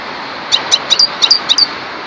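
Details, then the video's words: Several short, high, clipped tinkling notes from a European goldfinch of the parva subspecies, spaced about every fifth of a second, over steady faint hiss. "Zenda chardonneret parva"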